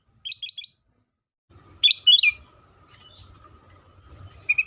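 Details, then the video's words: Sooty-headed bulbul lure song, meant to make other bulbuls start singing at once: a quick trio of short chirps, a pause, then two bright louder bursts and a later pair of notes over a faint steady hum. "Suara Pancingan Kutilang Sutra"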